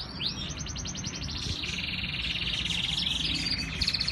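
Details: Canary song recorded in Islamabad, Pakistan, a rising sweep opening into long, fast, rolling trills that shift in pitch, over a steady low hum.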